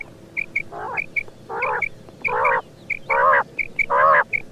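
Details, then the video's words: Quail giving repeated nasal, buzzy bursts about once a second. Short high ticking notes sound between the bursts. "Batair ki awaz quail Sound"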